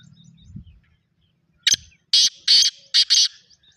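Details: Black francolin giving one rough, rasping phrase of five quick broken notes, after a faint low rumble at the start; soft chirping in the background.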